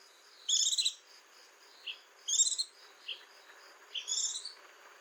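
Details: White-eye singing: short, bright, buzzy twittered bursts, each under half a second, given about every one and a half seconds with softer single chips between, over a steady pulsing insect-like hum.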